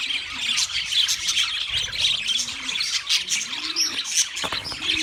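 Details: Wild budgies in full chorus, a bright, scratchy wall of chirps and warbles, with faint low cooing phrases in the background.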